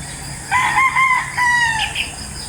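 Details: A morning rooster crow from a place full of crowing chickens. The call is a clear, tonal crow in two held parts, the second sliding gently downward, over faint background hum.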